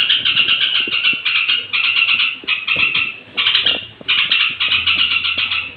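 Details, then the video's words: Straw-headed bulbul (trucuk) singing at bedtime to excite other bulbuls: quick, choppy chattering notes grouped into phrases, with a few short silent breaks and faint background rustling. "suara trucuk menjelang tidur ampuh naikkan emosi trucuk lain"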